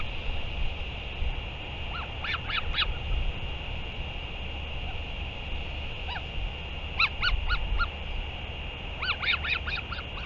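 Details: Northern royal albatross at a return and feeding, 31 May 2023, giving scattered bursts of short arched, ringing notes in clusters of two to four, separated by gaps, with constant hiss and low wind-like rumble.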